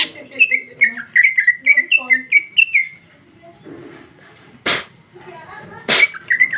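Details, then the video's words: Loud female leafbird, 2021, in ngeplong song with a very rich fill: a lively burst of short slurred whistles, a quiet gap, then two sharp cracks and a few final notes. "Cucak ijo betina paling gacor ngeplong isian super mewah"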